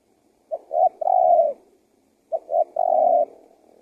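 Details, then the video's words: Calling spotted dove used as bait so that wild doves come and answer; two three-part phrases, short note, short note, then a long low smooth coo tailing off, about two seconds apart. "SUARA TEKUKUR GACOR PALING AMPUH UNTUK PIKAT BURUNG LIAR"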